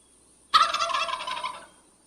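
A wild turkey gobbles once, a loud, rapid, rattling burst of throaty notes lasting about a second, fading at the end over a faint steady hiss.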